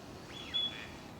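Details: A gadwall, a wintering duck at Junsai-ike green park in Chiba, Japan, in November 2025, seen in courtship display, possibly pair formation, gives a single thin, high whistle held about half a second against soft hiss.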